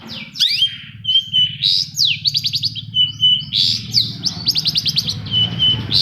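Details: Lure song of the long-tailed shrike for shrikes that have gone quiet: sweeping downslurred whistles, level piping notes and fast buzzy rattles alternate, over a faint low hum.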